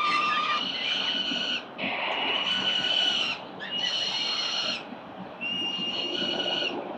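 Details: Peregrine Falcon chicks, four of them, at breakfast on a city building ledge in Victoria, 4 November 2021, CCTV. Four long, strained harmonic screams of about a second each, with brief pauses between.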